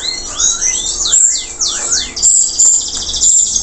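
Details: Post-moult local canary in full song: looping downward-curving whistled phrases repeated about every half second, followed by a dense, very high, buzzy rolling trill with sharp accents.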